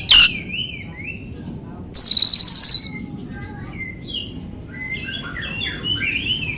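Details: Oriental magpie-robin song used as a training recording to stimulate silent or stressed caged birds: soft whistled phrases around a mid pitch with two loud, harsh, buzzy bursts, one at the start and one lasting almost a second, over a low background hum.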